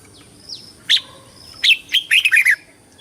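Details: Red-whiskered bulbul singing a competition song to call the flock and train its voice: one chirp, a short pause, then a rapid tumbling run of bright notes.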